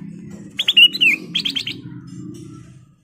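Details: A single sooty-headed bulbul phrase, used as a lure to provoke other birds: quick whistled notes and a wavering slurred whistle, then a short run of four pulsed notes, over a low background hum.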